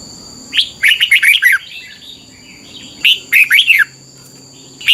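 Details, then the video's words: Thai red-whiskered bulbul song, played thirty minutes each morning to train young birds: a long burst of five or six rich slurred whistles, a soft pause, then a shorter burst and the start of another. "นกกรงหัวจุก, 30 นาทีทุกเช้า เพื่อให้นกเรียนรู้ที่จะพูดได้อย่างรวดเร็วและหนักแน่น"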